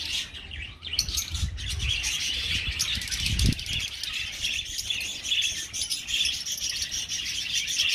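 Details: Budgerigar colony kept in an aviary: busy overlapping high chirps and warbles run throughout, with a few dull low thumps near the middle.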